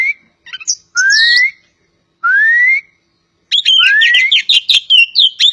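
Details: Poci-type Oriental magpie-robin from Java delivering slow rising whistled phrases separated by pauses, then breaking into a rapid run of sharp, varied twittering notes.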